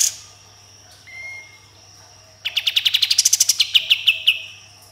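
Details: Sooty-headed bulbul in lively song full of shot-like bursts: a short flat whistle, then a quick train of about fifteen sharp clipped notes, higher in the middle and lower toward the end.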